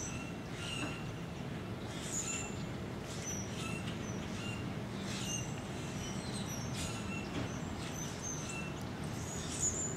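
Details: A flock of probably a few hundred Brewer's blackbirds congregating in trees along Little Fishweir Creek at 7:50am on November 11, 2015, flying about and puffing feathers, give scattered high squeaky chips and short whistles over steady low traffic rumble.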